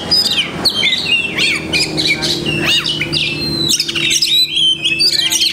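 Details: Kacer (Oriental magpie-robin) pouring out a busy song of learned masteran fragments, mixing chirps, sweeping whistles and harsh notes in rapid sequence, ending in a high twittering run; low steady hum present.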